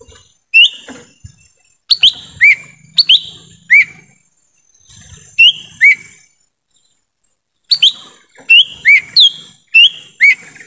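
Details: Lesser green leafbird whistling in a forest, used to lure wild birds: a long run of about fourteen sharp slurred whistles in clusters, some rising, some falling, with short silences between bursts.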